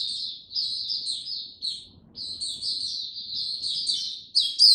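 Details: Slow, easy singing from a caged Oriental white-eye on 2 May 2022: flowing high twitters in two phrases separated by a short pause, ending with a sharper, louder note. Faint low rumbling underneath.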